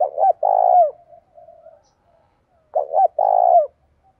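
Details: Spotted dove giving a fighting challenge in the 'đồng thổ' voice style: paired short hollow coos leading into a drawn-out burry coo that drops at the end, then a soft trailing note; the phrase recurs after under three seconds.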